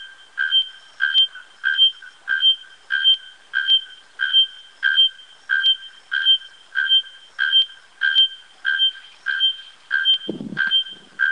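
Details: Bare-throated bellbird: loud, even, metallic notes, each with a higher overtone, repeated steadily about every 0.6 seconds for eighteen strokes. A short low rumble comes near the end.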